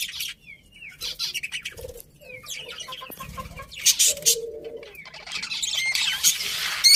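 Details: Budgerigars chirping: scattered short whistled slurs and squeaks mixed with raspy high bursts and occasional low warbling, irregular and conversational in rhythm.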